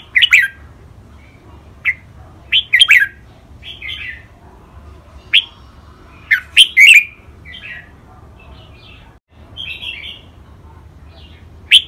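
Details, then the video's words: Two caged red-whiskered bulbuls in a training-song recording featuring len rik, boen, lak wai, mae bot and nap dok styles: many short, sharp whistled notes and bubbly doubled phrases scattered irregularly, some softer chirps between. "นกกรงหัวจุก เสียงร้องเล่นริกเบิ้ล ลากหวาย แม่บท นับดอก"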